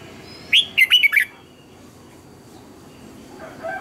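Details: Red-whiskered bulbul morning song, used as lure sounds for training birds: one sharp, clear phrase of five loud, looping whistles lasting under a second, then quiet hiss with faint distant chirps near the end.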